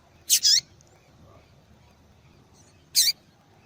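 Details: Female double-collared seedeater calling often, used by breeders to excite and warm up males to sing; a quick doubled high chirp, then one more sharp chirp about two and a half seconds later, over faint low background hum.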